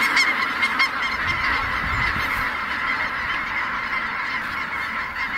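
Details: A flock of snow geese taking off at Merced NWF, with sharp honks standing out at the start over a continuous chorus of countless calling birds.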